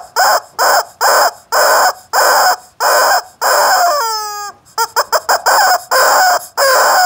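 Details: Rooster giving a rapid run of loud, harsh, clipped bursts, roughly two per second, broken midway by one drawn-out falling cry and a flurry of quick short notes before the blaring bursts resume.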